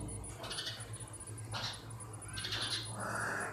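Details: Sparrows in a natural setting, with a few loud chirping bursts about a second apart over a low steady hum.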